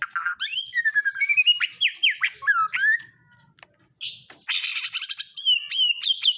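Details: White-rumped shama with kapas tembak fill giving a string of sweet downslurred whistles, a short pause, then loud buzzy high notes mixed with repeated rising whistles.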